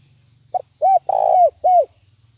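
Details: Spotted dove decoy singing the fast, powerful 'thúc bổi' trapping lure: a short clipped note, then an arched coo, a long level coo and a final arched coo, deep and mellow over a faint low hum.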